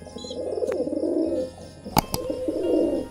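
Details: Mating pigeon giving long rolling coos in two swells, with a few sharp clicks or knocks in the middle and a faint higher chirp at the start, against a low steady hum.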